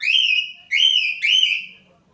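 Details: Cockatiel singing its morning song at home: three loud whistled phrases, each sliding slightly upward and holding steady with rich overtones, the last fading out; room otherwise quiet.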